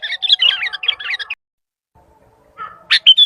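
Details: Sooty-headed bulbul calling to other bulbuls: a second of bubbling, warbled chatter, a pause, then a short sharp note and a high whistle.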